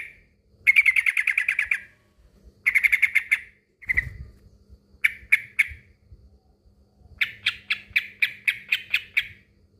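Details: Male sooty-headed bulbul calling a rival: long fast chattering trills, shorter groups of two or three notes, and a closing series of about ten spaced chirps, over a faint hum.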